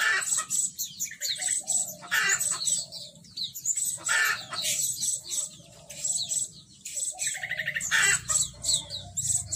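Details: Red-breasted blue-crowned hanging parrot calling in action as a lure bird: bursts of harsh, shrill, scratchy chattering notes, repeated in irregular clusters with brief pauses between them.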